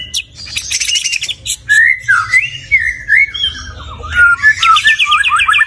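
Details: Varied song of a stone magpie: a rapid burst of high chatter, then clear whistled notes sliding up and down, ending in a fast rattling trill of repeated high notes; faint low hum in the background.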